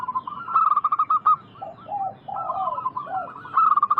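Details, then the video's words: Local zebra dove song used as a lure to draw answers from wild doves: rapid runs of soft, rolling cooing notes at a steady pitch, broken by lower, slurred coos midway. The phrases repeat in quick succession. "Masteran burung perkutut lokal gacor"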